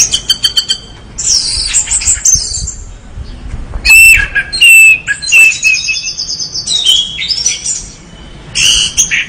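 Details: Vigorous Orange-headed thrush song opening with a rapid ticking series, then mixing very high squeaky notes, level whistles and harsh chattering in quick, irregular phrases.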